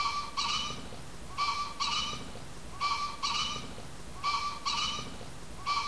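A green pheasant gives harsh, loud paired honking notes, two quick blasts repeated about every one and a half seconds, over a low rumble of background noise.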